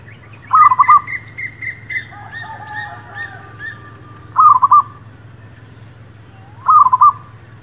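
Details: Zebra dove (Geopelia striata), village bird, song used as a lure for trapping and for new birds: short bursts of soft, rapid, staccato cooing notes repeated every few seconds, with fainter chirping birds behind.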